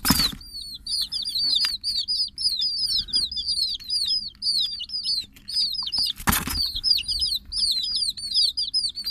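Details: Many chicken chicks calling nonstop, their thin high peeps bending up and falling, crowded so closely they form a chattering stream, broken by two loud rustling bursts near the start and after six seconds.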